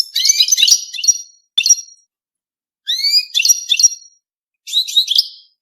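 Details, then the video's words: European goldfinch mating song, rapid liquid twittering with upswept whistles and buzzy chirps in three bursts separated by brief pauses, high and bright throughout. "5 دقائق من تغريد الحسون بدون توقف .تزاوج الحسون"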